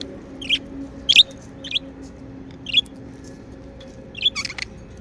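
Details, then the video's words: Pet budgies produce a handful of spaced, bright chirps roughly every half second to second, over a low steady hum. "Happy Budgie Sounds | Chirping sounds | parakeets sound | budgie sounds"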